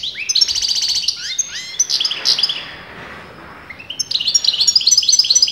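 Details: European goldfinch, a breeders' bird whose sex, male or female, is disputed, singing continuously: rapid high twittering with buzzy trills and rising slurred notes, a brief softer pause midway, then bright tinkling phrases resume.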